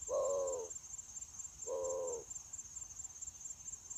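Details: Decoy spotted dove used for trapping, 9 January 2024: two soft, drawn-out mellow coos about a second apart, quieter against hissy background noise and a persistent high-pitched whine.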